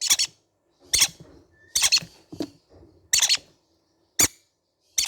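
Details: Baby green-cheeked conure parrots calling indoors: harsh, high, scratchy squawks in seven separate bursts about one second apart, some doubled, with quiet gaps between them.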